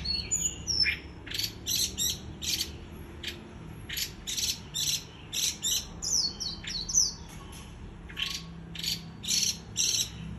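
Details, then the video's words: Sustained líu choè chatter by a white-eye: crisp, very high staccato chips in uneven rapid runs, a few thin slurred whistles mid-phrase, steady throughout over faint low hum. "Khuyên líu choè"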